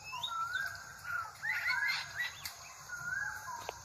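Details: Drongo said to sound like a crow, here giving clear whistled notes that slide up and down, looping phrases repeated over four seconds, with a steady insect-like hiss behind.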